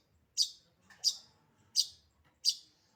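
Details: Long-tailed shrike in active song: four sharp, piercing high chips spaced about two-thirds of a second apart, each clean and separate with silence between.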